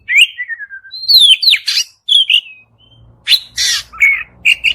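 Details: White-rumped shama song played to stimulate another bird: whistled slurs and a descending trailing note, then harsh buzzy bursts and short whistles over a faint low hum.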